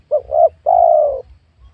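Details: Spotted dove calling during an attempt to lure wild doves on newly worked land in a young oil palm plantation; one mellow cooing phrase of two short rising notes followed by a longer, slowly falling coo.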